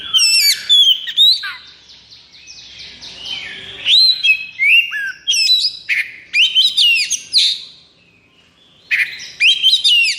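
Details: Caged Oriental magpie-robin, highly excited and in peak breeding condition, delivers a varied song: bright whistled notes and rapid chirps, a stretch of softer warbling, then renewed loud upswept phrases.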